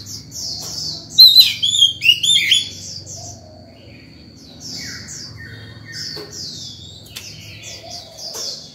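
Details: Morning song of an Oriental magpie-robin, meant to call other birds and teach young birds. A short loud flurry of whistled phrases is followed by quieter, softer warbled notes and a faint thin tone.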